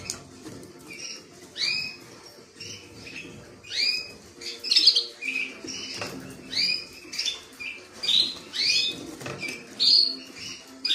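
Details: Creamino canary singing: bursts of bright, warbled syllables with sweeping and rising notes, delivered in short phrases separated by brief pauses, over a faint low background hum.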